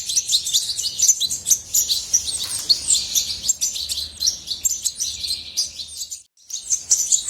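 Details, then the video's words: Goldfinch twittering in a busy high-pitched song of clipped chirps and short trills, breaking into a moment of near silence toward the end before resuming. "طائر الحسون من أجمل الطيور وأنداها صوتاً"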